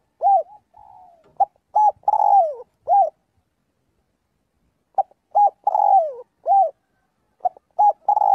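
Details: Spotted dove practising its flock call, with two full cooing phrases separated by a silent pause of about two seconds. Each has short clipped coos, a long downward-sliding note and a rounded final coo, all in a quiet setting.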